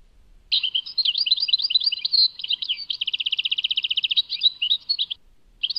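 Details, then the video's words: European goldfinch song recorded at Tadmait: after a quiet start, a busy jangle of twittering notes leads into a long fast mechanical trill, more chatter, and a short final burst. "Chant chardonneret Tadmait"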